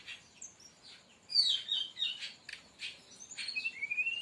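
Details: Brown-chested jungle flycatcher song used as a master recording to lure or train other birds: scattered high chips, then a bright descending whistled phrase and short rising whistles near the end, with quiet background hiss.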